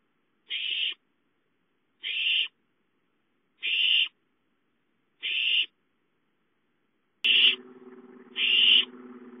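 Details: Owlets calling for food at home, 5-9-13: six evenly spaced hissing screeches; a low droning background sound starts beneath the final two.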